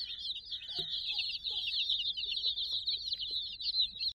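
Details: Dozens of chicks, about sixty, cheeping together nonstop in a dense chorus of high, bright peeps that overlap continuously, with a faint low rumble beneath and one brief louder knock near the start.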